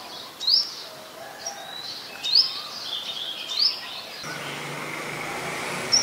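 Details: Olive-backed sunbird in mangrove forest at the Sirinart Rajini centre: three sharp, high upslurred chip notes spaced about one to two seconds apart, with a faint fourth note at the end, over steady background hiss and a low hum.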